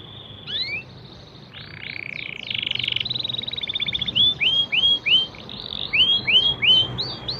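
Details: Canary singing in the standard cengkok song style: opening upslurred whistles, then a rapid buzzy trill lasting over a second, ending in a bright series of repeated rising-falling sweeps about three per second.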